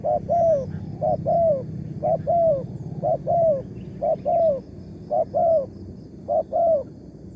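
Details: Wild spotted dove prized for its big 'tarik akar' voice, calling during a morning decoy-luring outing. It gives a steady series of seven paired coos, each a brief note followed by a drawn-out falling note, about once per second. A low background hum runs throughout.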